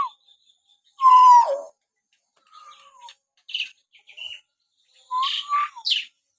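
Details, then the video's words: Common hill myna in natural whistling meant to rouse pet mynas: a loud falling whistle with a raspy tail, soft gliding notes and short chirps, then harsh squawks blended with a level whistle. "masteran burung beo suara siulan alami"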